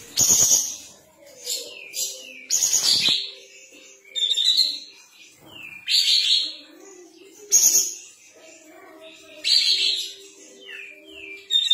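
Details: Sooty-headed bulbul singing vigorously with tail spread: loud harsh, buzzy bursts with short whistled slurs, repeated roughly every two seconds, separated by quieter twittering.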